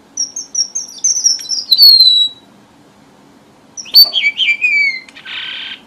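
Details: Red avadavat singing a trapping lure from southern Vietnam: a string of high thin whistles ends in a downward glide. After a pause comes a second tumbling, descending phrase and a harsh buzzy burst.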